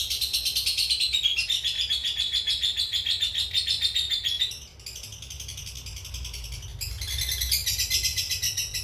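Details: Lovebird of the cobalt mangsi (dark blue) colour form giving long ngekek chatter, suited as a training model for other birds: a continuous, rapid, buzzy trill held for several seconds, a brief break, then the trill resumes.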